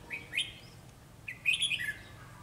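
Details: Kim Bôi decoy red-whiskered bulbul calling wild birds during trapping on a sunny, windy day, 12 October 2020: two quick sweet warbled phrases, the second louder and richer, with a man speaking briefly afterwards.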